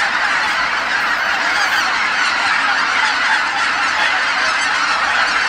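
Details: Tens of thousands of wild geese calling all at once as flocks return to Kabukuri-numa marsh at dusk after feeding, a dense continuous wall of overlapping honking that fills the marsh without pause.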